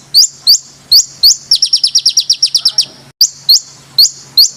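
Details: Training song of a bird meant to tutor competition fighter birds: loud upslurred whistles repeated about every half second, broken by a fast run of a dozen sharp descending chips, then the whistles resume.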